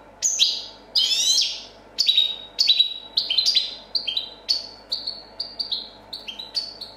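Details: European goldfinch, 2014 competition champion, singing copia style: opens with a fast twittering flourish, then a series of separate bright chirped notes, roughly one to two per second.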